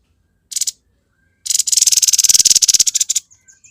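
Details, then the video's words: Energetic Grey-headed babbler song in the konslet style: one short scratchy burst, then a loud, rapid, chattering rattle lasting nearly two seconds, ending with soft thin notes. "TEPUS KEPALA ABU GACOR KONSLET"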